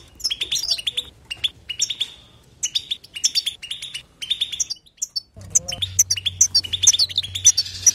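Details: European goldfinch giving nonstop 'betbeta' chatter: bursts of bright, tinkling, high twitters and buzzy notes, broken by short pauses and a near-silent gap before a denser final stretch. A faint low hum sits underneath.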